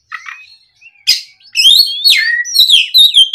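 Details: Oriental magpie-robin singing energetically in the afternoon as a lure to prompt other birds to reply: soft opening notes, then a harsh burst followed by loud slurred whistles and descending sweeps.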